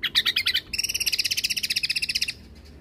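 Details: Greater green leafbird (cucak kombo) singing gacor, its song used as a master for caged birds. Several sharp notes lead into a long, rapid, even trill of high, repeated notes lasting nearly two seconds.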